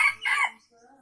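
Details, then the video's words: Short crow from an Aceh junglefowl, used to lure wild birds: a clipped harsh note and a brief rough follow-up, about half a second in all, with faint hum afterward. "Ayam Hutan Aceh # Pikat F 1"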